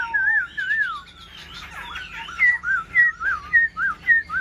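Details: Caged black-throated laughingthrush displaying with wings spread and tail fanned, singing loud, clear whistled phrases, first slurred warbles, then a run of rising-falling notes repeated about twice a second.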